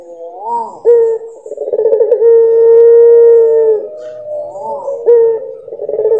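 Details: Puter pelung dove song of long, steady, pure-toned notes: a short sliding phrase, then a rough pulsing stretch leading into a very long held coo, followed by another pulsing phrase and a fresh rising note.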